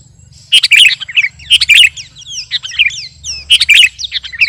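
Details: Sooty-headed bulbul, kutilang garuda, singing for contest: four loud chirp bursts roughly once a second, each trailed by downslurred whistles, over a low steady hum.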